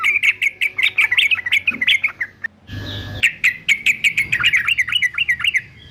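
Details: A fighter male yellow-vented bulbul, for training, sings steady rhythmic bubbly notes, falls silent briefly under a short burst of broadband noise, then resumes the rapid warbling.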